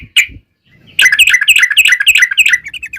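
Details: Yellow-vented bulbul song played as a lure so other bulbuls reply: a single sharp note, a pause, then a rapid chattering run of bubbly, gurgling whistled notes packed closely together, fading toward the end.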